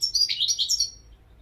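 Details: Brief burst of European goldfinch song: tinkling, jangling high notes tumbling together in about one second, then fading to faint background hum.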